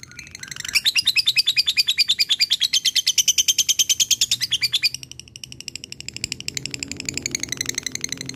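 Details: Lovebird of the fighter type, a chatty 'gacor' bird giving its long 'ngekek' chatter to call a rival: a fast, even run of high shrill chirps for about four seconds, then a softer, rasping stretch of rapid notes.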